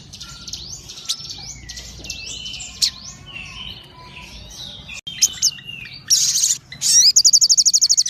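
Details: Crimson sunbird singing energetically: scattered high chirps and thin whistles, then loud bursts of very high, rapid buzzy trills toward the end.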